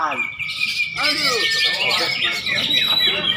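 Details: Greater green leafbird song that opens with a held thin whistle, then breaks into quick arched warbles and sharp chirps, delivered in a busy, jumbled stream.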